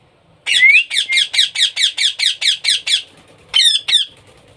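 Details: Baby parrot being hand-fed, starting with a rising whine and continuing with a dozen loud rhythmic rasping squawks, then two sharp, upslurred calls.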